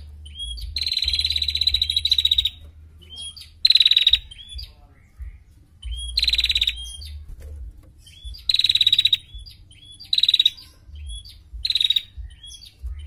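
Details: A female prinia gives dense, high, rattling trills, each lasting about a second, in bursts every one to two seconds over a faint low hum.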